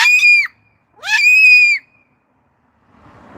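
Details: A pet Moluccan cockatoo on a sunny patio gives two loud, harsh, rising screams, the second longer, upset when a child fell off a bike across the street. Then silence and faint background noise.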